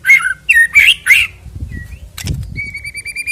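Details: White-rumped shama song used as a lure to make another shama sing before a songbird contest: rich whistled, slurred phrases in quick bursts, then a pause with low rumbling, then a steady high whistled note with repeated ringing overtones.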